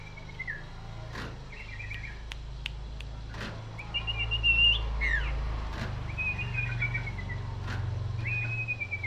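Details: Common iora singing lively in the cetrekan style: short whistled phrases and quick rattling trills at a high pitch, repeated every second or two, over a steady low hum.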